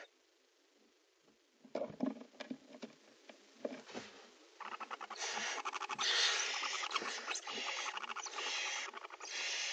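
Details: Nest-box barn owls around prey transfer and mating, starting with scattered dry ticks and scratches, then a long, rasping, hiss-like screech broken by rapid pulsing clicks.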